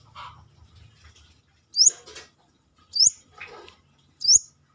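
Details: Brown-throated sunbird in active song outside the cage: three sharp, high, upslurred whistles about a second apart, each followed by softer rustling, scratchy sounds.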